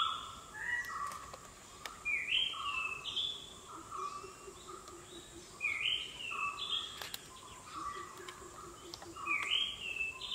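Oriental dollarbird giving short, rasping rising notes in loose bursts every few seconds, with a steady high insect whine behind.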